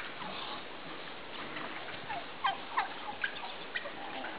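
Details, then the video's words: Midget White turkeys mating, with a tom displaying to a receptive hen; a few short, bright yelping calls rise above a low rustling background, grouped around the middle of the clip. "Mating Midget White Turkeys"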